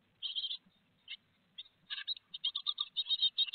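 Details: Great tits at a Théding nest box, France, on 4 May 2021, with a big peanut on the menu; a few scattered high buzzy notes, then an accelerating run of quick shrill pulses, with low rustles.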